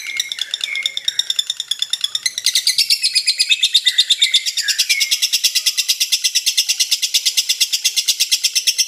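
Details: Lovebird giving a long chattering song, a rapid steady stream of high buzzy notes repeated nearly three times a second, with a few short whistled slurs early on.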